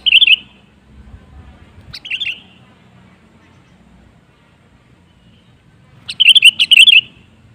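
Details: Sooty-headed bulbul song played to encourage other birds to sing: a short burbling whistle phrase, a softer two-note fragment two seconds later, then a longer rollicking phrase near the end.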